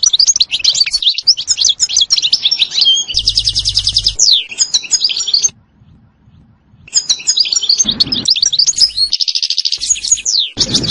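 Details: European goldfinch singing a lively song with stuttering trills, described as flawless and motivating; rapid twittering phrases, a fast buzzy rattle, then a short pause before more tumbling twitters and another dense rattle.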